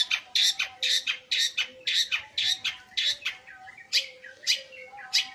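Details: Long-tailed shrike said to sing day and night delivers a rhythmic run of harsh rasping notes about twice per second, then softer scratchy twittering and a few louder rasps toward the end.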